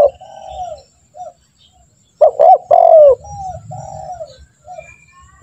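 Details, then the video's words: Spotted dove cooing, used as a lure to train caged doves to call quickly; soft coos open, then a loud phrase of two clipped notes and a long falling coo, followed by quieter coos over low rumbling background noise. "Pancingan burung tekukur gacor, melatih burung tekukur agar cepat bunyi"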